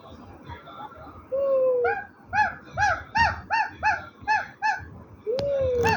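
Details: A parrot talking: a drawn-out falling whistle, then a run of about eight rhythmic, harsh nasal syllables, and another long falling whistle to finish, with faint background noise.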